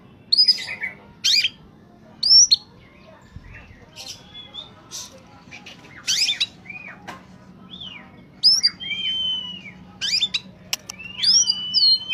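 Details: Oriental magpie-robin in peak singing form, used as a lure for wild birds: scattered loud whistles, sharp upswept notes and harsh buzzy bursts separated by short pauses over a quiet low hum.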